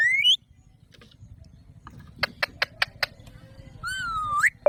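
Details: Alexandrine parakeet opens with a sharp rising squawk, follows with a quick run of five crisp clicks, then a long whistled note sliding upward, with a low background hum.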